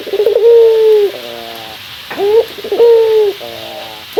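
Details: Cock Barbary dove, a local bird, calling against a rival. Twice a long, even coo slides slightly lower and breaks into a quick rolling flutter, each time preceded by a short clipped note, with faint hiss.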